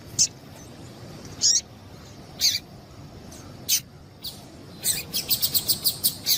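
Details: Sharp, high chirps from a female double-collared seedeater, a call used to get males singing. Single chips are spaced about a second apart, then a rapid burst of repeated chips follows near the end. Faint background hiss.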